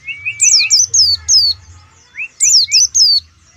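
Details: Oriental white-eye from Pemalang: two bursts of sharp, high, descending chirps, each led by short rising slurred notes lower down, with a brief pause between bursts and a faint low hum beneath.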